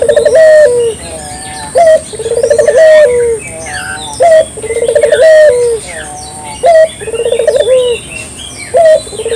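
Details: Clear local puter dove calling as a trapping lure: a sharp opening note, then a bubbling trill that ends in a drawn-out falling coo, repeated four times. Light twittering of small birds in the background.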